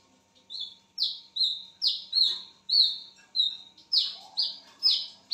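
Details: Wiceh bird heard at midnight, repeating loud, high, downward-sliding whistles in an unbroken series of about a dozen notes, with a faint steady hum in the background.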